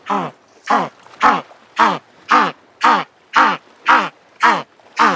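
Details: African penguin, also called jackass or Cape penguin, giving a steady series of short, harsh, donkey-like honks, about ten evenly spaced notes roughly two per second, with rich layered harmonics and quiet gaps between.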